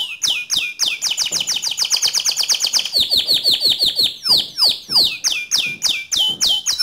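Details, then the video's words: White canary singing vigorously: series of bright chirps repeated several times per second, changing syllable type every second or two, with some notes sweeping steeply downward. "Suara Kicau Burung Kenari Putih Bersih Gacor Dor"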